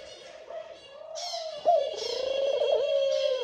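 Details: Male Eurasian collared dove courting a female at the nest, calling her to it: a long, drawn-out, low coo with a rolling, tremulous middle, over short high chirps from other small birds nearby.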